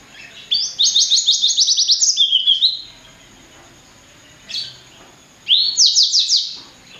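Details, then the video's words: A blacksang, bred from blackthroat and sanger, sings a rapid repeated series of high, clipped descending notes, about three per second, then pauses, gives a single note and resumes with another quick volley. "Kicau Merdu Blacksang Gacor"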